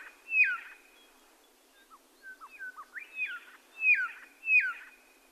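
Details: Red-lored whistler mixing loud falling whistles with a cluster of short, softer downward notes in the middle, before resuming strong evenly spaced whistles over a light hiss.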